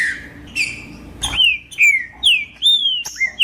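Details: Green-winged saltator (trinca-ferro) singing to warm up other birds of its kind: clear whistled phrases, each slurred and falling, given in quick succession and mixed with sharp clicks and brief higher notes.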